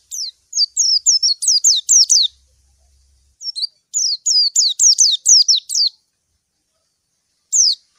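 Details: White-eye calling a rival, recorded clearly: two fast runs of shrill, falling chirps, eight or so notes each, separated by a pause, and one lone chirp near the end.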